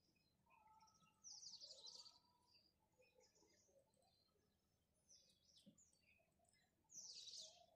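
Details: Chirping house sparrows in the morning: two louder bursts of rapid, rattling high chirps about six seconds apart, separated by quieter scattered twitters and soft lower notes.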